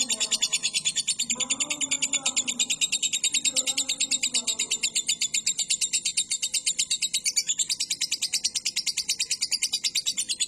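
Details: Cage-bird training recording of a lovebird's long ngekek: an unbroken, fast, high-pitched rattling trill held for the whole stretch, with soft lower sounds briefly heard early on.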